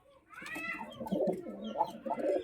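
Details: Pigeons kept in a pigeon house give low, throaty rolling coos that murmur on continuously, swelling and fading in short bursts, with faint higher chatter in the background of a small indoor space.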